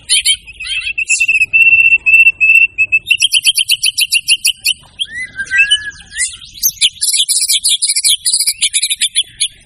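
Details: White-rumped shama showing off its varied repertoire: a steady stream of rapid, high, buzzy notes, a lower swooping whistle, then dense, chattering high phrases repeated quickly to the end.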